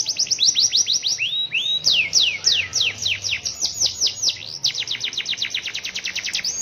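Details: Canary in energetic rainy-season song with long rolling passages: a continuous run of rapid descending whistled sweeps, several per second, briefly broken by short rising notes before the fast sweeps resume.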